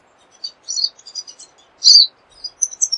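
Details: Pine siskin (Spinus pinus) giving high, thin twittering chirps: scattered short bright notes, several quick clusters, and one louder, fuller burst midway before more light twitters.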